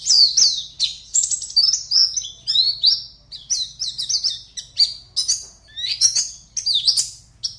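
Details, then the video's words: Caged Oriental white-eye from Pontianak, West Kalimantan, entered in an online singing competition, gives a rapid stream of high, sharp chirps and twittering phrases with scarcely a pause. A faint low hum runs beneath. "LOMBA PLECI ONLINE 52 - Aksi Pleci"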